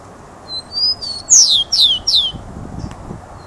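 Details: A rufous-collared sparrow sings loudly: clear high whistles rising slightly, followed by three rapid, strongly descending slurred notes, then a brief low rumbling noise and a faint click.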